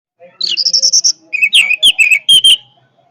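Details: Orange-headed thrush delivering a powerful song: a quick run of bright, high whistled notes, then a louder burst of slurred, varied whistles and sharp chirps at a lower pitch, ending abruptly.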